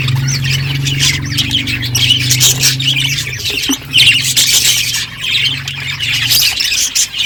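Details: Several budgies chatter while eating seeds, a dense stream of scratchy, warbling chirps and squawks with a steady low hum underneath.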